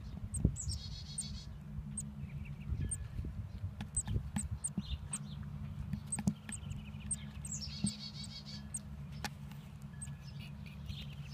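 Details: Baby chickadees giving dense, very high-pitched thin chirps in quick series, broken by several brief buzzy, grating bursts, set against a constant low droning hum with occasional soft knocks.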